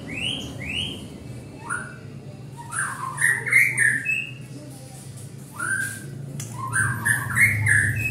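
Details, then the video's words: White-rumped shama song used to provoke singing: rich, changeable whistles with rising slurs, rapid twittered runs and sharp high notes in quick succession, over a low background hum. "Murai Batu Memancing Bunyi"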